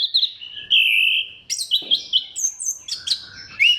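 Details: Orange-headed thrush in full lure song to spur other thrushes: a long level whistle, then a fast medley of sharp chirps, slurred whistles and high flicked notes repeated in quick succession.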